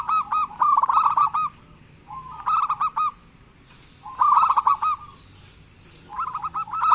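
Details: Zebra dove of a local strain, calling actively as a lure for sluggish doves. Four separate bursts of burbling, rapidly pulsed coos are divided by quiet pauses.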